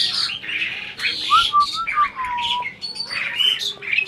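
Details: Adult breeding Asian pied starling attempting to talk: harsh squawks mixed with clear whistled glides and short slurred notes, loud and close, in rapid irregular succession.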